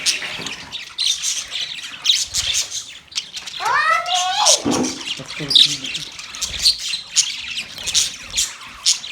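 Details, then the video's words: High, rapid budgerigar chirping fills the background, broken midway by a loud sweeping sound that dips sharply downward, before the busy twittering chatter carries on. "Birds Chirping sound Beautiful Budgies sound"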